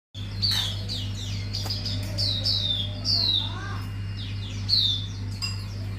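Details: Hume's white-eye, an auriventer wiksar, kept bird delivering its filler repertoire: sharp high chirps and bright descending whistled slurs in quick bursts, with a steady low electrical hum throughout and a faint lower slurred note midway.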